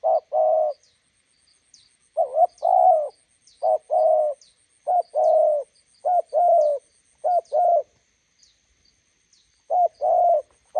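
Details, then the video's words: Roadside encounter between a decoy spotted dove and a wild one: a steady series of low paired coos, a short note then a longer one, repeated about every second or so with brief pauses; faint chirps above. "bổi đẹp gặp mồi Đồng Gù"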